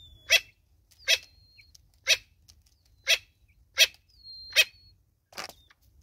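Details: A Natal spurfowl hen with her chicks in South Africa makes a steady series of seven coarse, scratchy bursts about once per second, with a few faint high thin whistles between them.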